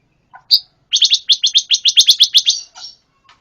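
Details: A pancawarna gives a short lead-in note, then a fast, even trill of about a dozen bright, high chips, ending on a softer slurred note.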